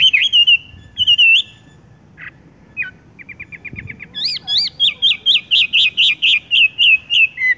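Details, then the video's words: Horsfield's bush lark (wambie) in tung roll song that goes straight into the roll: wavering whistles, a run of quick ticks, then a long fast roll of loud repeated whistled notes. "wambie tung roll gantung langsung ngerol"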